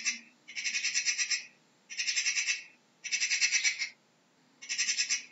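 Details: Magpie calling with a loud, rasping chatter: four bursts of rapid, rattling notes about a second apart, each made of a tight string of harsh pulses.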